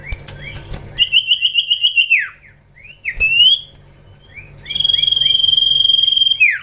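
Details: Young caged Common Iora being trained: a burst of rapid trilled notes, then a long, steady, quivering whistle broken by downward slurs, with quieter chirps between phrases.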